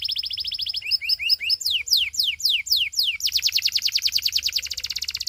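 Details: Belgian canary singing to seduce fellow canaries, with a quick chattering roll, paired chirps, a series of steep descending whistles, then a long, very rapid run of repeated sweeping notes.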